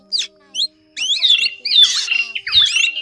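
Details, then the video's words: Drongo lure calls played for net trapping of several drongo types in Vietnam: two brief chirps, then a dense run of slurred whistles and harsh chattering notes, loud and busy, with a faint low hum beneath. "Tiếng Bẫy Bắt Tấc các loại chèo bẻo , chèo bẻo rừng , chèo bẻo đen , đuôi cá chèo bẻo"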